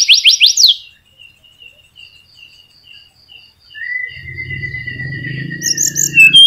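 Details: Flycatcher, male, singing actively and used as a lure to prompt silent caged birds to sing: rapid high trilled phrases, a series of short repeated chips, then a long thin descending whistle, with a low hum underneath.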